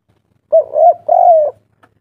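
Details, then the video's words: Spotted dove from Java, locally called tekukur, cooing in kuk 3 style: two long, mellow, level coos with a slight wavering quality, close together, against a silent background. "derkuku kuk3"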